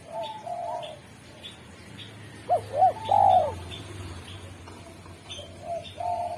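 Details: Spotted dove (derkuku) in peak singing form, good at calling wild doves: a single loud phrase of two short swooping coos then a drawn-out rough coo, amid softer background cooing and a low hum.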